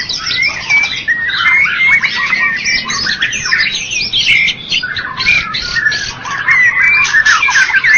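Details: Contest-winning white-rumped shama, Medan and Java types, in a loud, unbroken stream of sharp chirps, rising and falling whistles and buzzy bursts, packed tightly together throughout.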